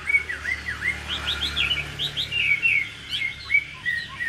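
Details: A caged Chinese hwamei, a 2019 top-10 placer at Thanh Trì, delivers a quick run of clear whistled notes that dip and rise, then higher looping phrases, ending in softer scattered whistles.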